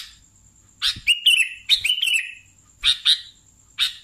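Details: Kutilang, the sooty-headed bulbul, in lively song: sharp chirps mixed with short whistled phrases that dip and wobble, then spaced single chirps, with a faint constant high-pitched hum behind.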